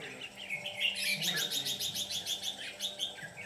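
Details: Red-whiskered bulbul decoy used during trapping, giving a fighting song: a quick series of bright chirped notes repeated about three times a second over steady background hiss.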